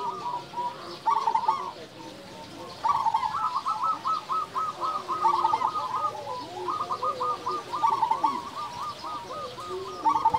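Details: Loud local zebra dove singing freely, the song offered as a lure and tutor for quiet doves: long runs of rapid, bubbling coo notes that rise and fall in bursts over fainter cooing from other doves.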